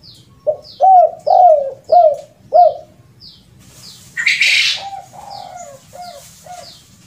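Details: Spotted dove lure call for trapping, the uncommon kuk 2 and kuk 3 type: five strong, mellow coos in quick succession, then a loud rushing noise and a few fainter coos. Small high chirps of other birds run throughout.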